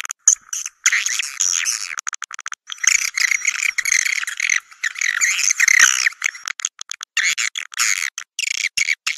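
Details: Swiftlet sound used to bring swiftlets in to roost in swiftlet houses: nearly continuous high, raspy twittering with buzzy trills, interrupted by short silences and scattered quick chirps.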